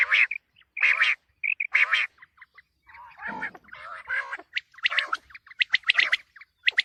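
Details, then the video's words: Quail, tagged as a common quail and a calling female, giving harsh, buzzy bursts about once a second at an uneven pace, with softer rasping notes in between. "Quail sounds for coming season | چیتری بلارا آنے والے گندم کے سیزن کے لیے بہت اچھی آواز"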